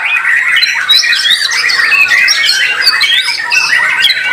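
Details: White-rumped shama singing at a bird-song contest, noted for song rhythm, power and stamina; dense run of rich whistles, trills and short rising notes without pause, with other birds singing over it.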